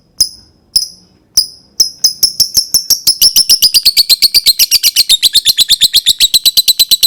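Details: Lovebird learning the "ngetik" typing-style song: sharp, high ticking notes, at first spaced about half a second apart, then speeding into a steady rapid train of clicky chirps, several per second, with no other sounds.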